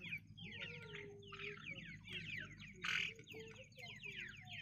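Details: Female grey francolin, a local desi bird used as a hunting decoy, calling in repeated bursts of scratchy, descending chattering notes roughly every second, with a low steady hum and a sharp clatter midway.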